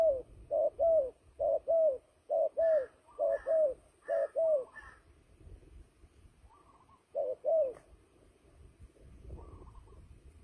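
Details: Turtle dove calling aggressively, as used in trapping, with a fast run of paired hollow coos over the first five seconds, fainter higher notes beside them, then silence and two more coos later.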